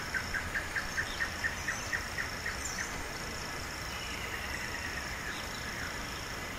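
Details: Free-living wild palm tanager giving a quick run of short squeaky chirps, about four a second for three seconds, then falling quiet over a steady high insect hum.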